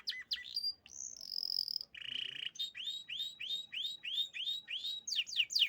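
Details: Canary singing loudly: a few sharp chirps, a sustained high whistle and a short buzzy note, then a quick run of about eleven rising whistled notes, finishing with faster descending sweeps. The background is otherwise quiet.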